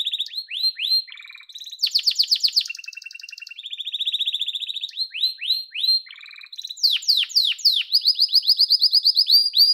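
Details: Yellow domestic canary singing loud series of repeated down-slurred notes alternating with fast buzzing rolls, ending in bright high rapid trills.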